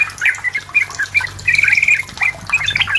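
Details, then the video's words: Lively song of a Sooty-headed bulbul, meant to pressure a rival and draw another bulbul into singing: scattered chirpy notes, then a quick rattling trill lasting about half a second, followed by more liquid phrases. "SUARA BURUNG TRUCUKAN GACOR MENEKAN LAWAN UNTUK BUNYI PANCINGAN TRUCUKAN AGAR BUNYI"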